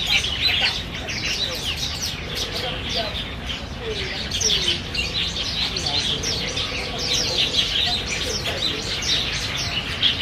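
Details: Black bulbuls competing for banyan figs at Niaosong Wetland Park, recorded 4 November 2015 on a compact camera; dense overlapping harsh chirps and squeaky notes from several birds run throughout, with a faint low murmur beneath.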